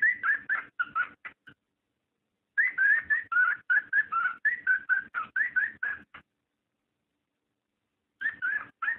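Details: Cockatiel mating call, used to stimulate breeding: bursts of short whistled notes around mid pitch, many sliding upward, delivered rapidly in groups separated by pauses of about one to two seconds.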